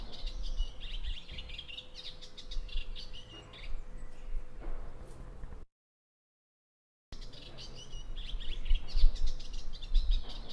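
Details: Eastern olivaceous warbler, a rare visitor in Italy, singing in a garden in the lowlands of Modena after the storms of May 2023: a fast, scratchy, chattering song cycling monotonously through harsh notes, a brief silence, over low wind rumble and faint hum.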